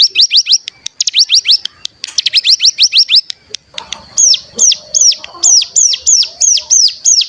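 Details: Bar-winged prinia (cigun) in a decoy track for stimulating song: rapid rising chirp trills at first, giving way to evenly spaced, arched high whistles about three per second over a faint low hum.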